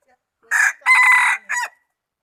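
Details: Rooster from the highlands, 11 November 2019, giving one full crow: a brief first syllable, a long rough drawn-out middle and a short clipped ending. The surroundings are otherwise silent.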